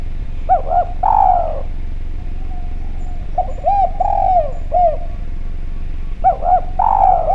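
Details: Spotted dove of the Javanese type, calling vigorously in a clear voice, used as a lure sound: short arched coos, a longer drawn-out coo, then another burst of coos after a pause, over steady low rumble.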